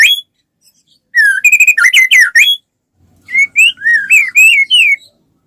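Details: Singing white-rumped shama, used as a prompt for other shamas, gives a rich tumbling run of mixed whistles and buzzy notes, falls quiet, then delivers a series of rising and falling slurred whistles.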